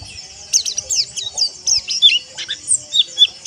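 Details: Caged oriental white-eye singing a therapy song meant to build a rough, fast twittering: rapid high thin chirps and trills packed together, sharp descending notes repeated through the stretch, faint low hum underneath.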